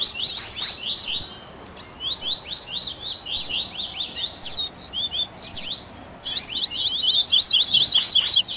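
Double-collared seedeater singing a rapid, chattering jumble of high, sharp twittering notes in dense bursts, with a brief pause midway and no other notable sounds.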